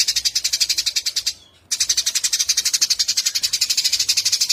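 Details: Eurasian tree sparrow chirping, recorded to tutor a white-rumped shama: rapid high chirps pulsing about four times a second, broken by one short silence near the middle before the chatter resumes.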